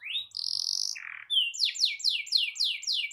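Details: Canary in long rolling song meant to provoke rivals: a rising whistle, a sustained buzzy tone and a lower burr, then repeated rapid descending slurred notes about three per second.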